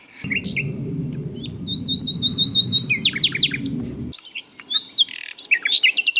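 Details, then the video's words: Wild mugimaki flycatcher singing: a quick series of high upslurred notes followed by varied chirps and buzzy trills, with a low rumbling wind-like noise during the first four seconds. "BURUNG SIKATAN LONDO GACOR DI ALAM LIAR"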